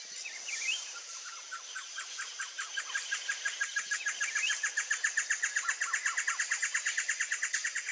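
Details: Blue-crowned trogon calling: a long series of short, hollow repeated notes that quicken and grow louder, reaching about three per second, over a steady high insect buzz, with another bird's brief rising whistles near the start.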